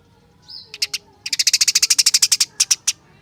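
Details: Caged house sparrow kept for songbird contests, singing a rapid run of sharp, high chirps, about fifteen in quick succession after a few scattered opening notes, ending with three spaced chirps.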